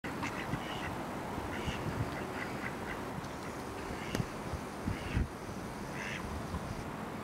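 Mallard ducks give soft, low quacks and chuckling calls at a steady pace, set against a constant background murmur with a few sharp knocks.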